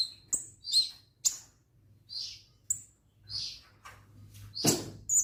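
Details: Orange-headed thrush (kemade) singing lively: scattered high, sharp whistled notes and short buzzy phrases, spaced irregularly, with a low hum underneath.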